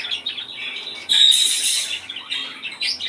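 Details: Budgerigar song used to bring on breeding: squeaky chirps then a loud, harsh, buzzy warble lasting about a second, followed by softer chatter.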